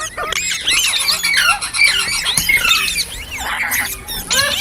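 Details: Green parrots chirping in a dense, continuous chatter of high squeaky twittering notes and short squawks overlapping throughout.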